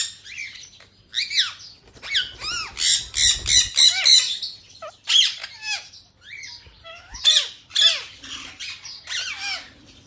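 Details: Feeding-time squawking from several captive Indian ringneck parakeets in yellow, blue, white and grey: dense overlapping harsh screeches and downward-sweeping calls, rapid and irregular, with occasional wing flutter.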